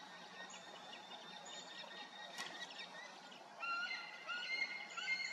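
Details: Eaglet churbling to its parent on 19 July 2018 around 19:18. Faint chittering at first, then louder, clear whistled chirps with bright harmonics in the second half, set against steady background hiss.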